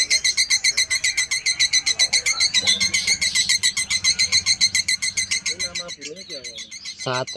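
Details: A male canary, already paired and mated, sings a fast, bright trilled song of rapid high notes, about four per second, with other birds and a man's voice in the background.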